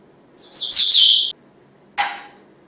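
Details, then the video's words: Captive female African grey parrot kept as a family pet, letting out a loud harsh squawking chirp lasting nearly a second followed by a shorter rasping note, in a quiet indoor room. "Talking African Grey Gray Parrot"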